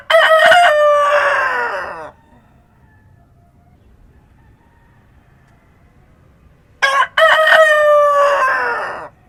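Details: A rooster crows twice at dawn in the countryside, each crow a bright, harmonic cock-a-doodle-doo of about two seconds beginning with a clipped first syllable, the two crows about seven seconds apart with near-silence between.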